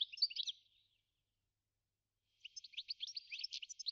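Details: Goldfinch in the New Forest: a short, high twittering burst, a second of silence, then a longer run of bright chattering notes.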